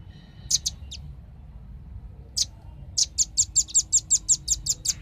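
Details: Velvet-fronted nuthatch in a lure recording used to attract birds: sharp, very high chipping notes, a few scattered at first, then a fast, even run of about six notes per second. A faint low rumble sits underneath.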